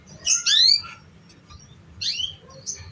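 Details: Canary sounds serving as a lure for young canaries still learning their song: two loud, bright, down-slurred whistled chirps with layered tones, then a softer high note, in a quiet setting.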